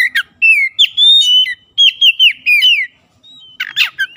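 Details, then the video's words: Lively white-rumped shama song for encouraging silent birds to sing, a quick sequence of loud downslurred whistles repeated in short bursts, ending with a scratchy harsh note and a rising whistle. "PANCINGAN KACER LELET BISU | PASTI AKAN IKUT GACOR NGEPLONG GACOR"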